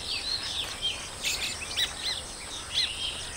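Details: Breeding colony of Baya weavers giving an outburst of high, sharp chirps and wheezy squeaks. The short calls come roughly once a second, overlapping from several birds, with a soft steady hiss behind them.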